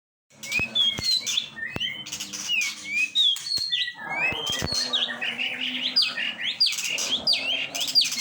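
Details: Long-tailed shrike calling: a varied run of sharp whistled notes and chirps, some sliding upward, then a denser stretch of rapid, jumbled, scratchy phrases in the second half; a faint low hum sits underneath.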